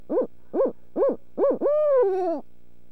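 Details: Barred owl giving its dinner-time call on March 14: four short, rounded hoots about half a second apart, followed by one long, loud hoot that wavers and then drops in pitch at its close.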